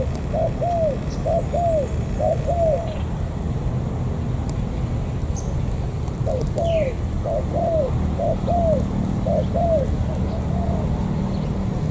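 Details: Wild-caught spotted dove, An Giang border area, Vietnam: two bursts of low paired coos, short then slurred, separated by a few seconds of quiet, with faint background rumble.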